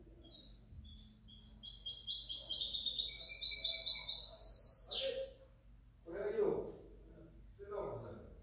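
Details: Goldfinch hybrid from 2019–2020 delivering a fast, bright twittering song for about five seconds, ending in a sharp downward sweep, followed by low, muffled sounds.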